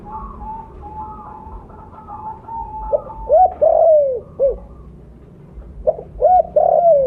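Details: Mottled spotted dove, vocally active with a big voice, used to lure others. A run of soft, level coos leads into loud arched hoots in two clusters, the last note in each drawn out and falling.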